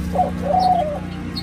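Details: Senegal dove and ringneck dove hybrid, kept in Thailand and possibly second generation, giving a nest coo: a short soft coo followed by a longer level coo, over a steady low mechanical hum.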